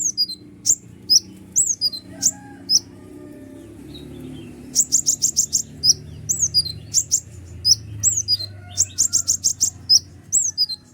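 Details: Noisy, energetic kolibri ninja (sunbird) song intended to provoke other birds: piercing high chirps and quick downslurred notes, alternating with fast clusters of ticking notes, steady low background hum throughout.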